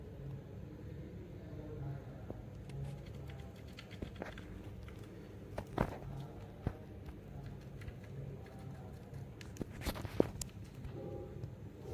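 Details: A low indoor hum with scattered taps, clicks and rustling, and no animal calls.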